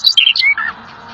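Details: Lively song of the rare bird known as little fellow, used for training pet birds: a fast string of bright, sliding whistled notes lasting under a second, then quiet.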